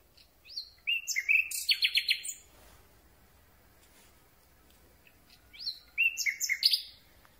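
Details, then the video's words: Night-singing Common Nightingale, captured from very close: a varied phrase of swooping whistles and quick rattling notes, several seconds of quiet, then a similar phrase repeated with slight rustling behind. "Słowik Rdzawy piękny śpiew nagrany z bardzo bliska"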